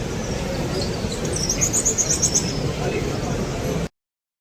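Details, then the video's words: Bird chirping in Mecca: a quick run of thin, high chirps bunched in the middle, set against a constant loud rumble of background noise, ending abruptly in silence. "Bird's soothing, chirping noise in Mecca sharif."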